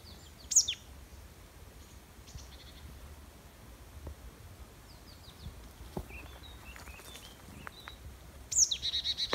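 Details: Marsh tit (Poecile palustris), Gollak highlands, Kosovo, 18 August 2019: a sharp, high note that drops quickly, heard twice. The second is followed by a short run of quick, slightly buzzy notes, with faint chirps from other birds behind it.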